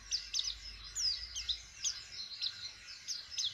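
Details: White-eye learning to sing by opening its beak, producing quick high chirps and thin descending whistles repeated several times a second over faint background hiss.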